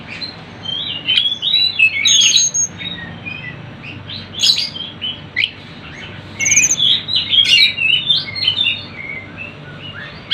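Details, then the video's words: Sunda bush warbler recording for attracting birds. Fast, high, chirping phrases arrive in two busy bouts separated by a brief lull, with many overlapping notes. "MASTERAN TLEDEKAN GUNUNG ||suara burung rame"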